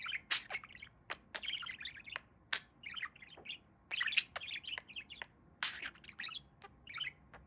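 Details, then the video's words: Pet budgerigar, a talking parakeet, chattering with rapid bursts of scratchy chirps, clicks and warbled notes around the upper register, short broadband clicks between phrases, in a quiet indoor setting. "Talking Parakeet"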